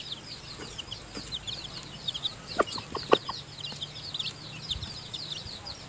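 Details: Newly hatched seven-tailed chicks in their nest, with the hen mother feeding them, keep up a busy chorus of shrill slurred peeps. A few louder knocks sound midway.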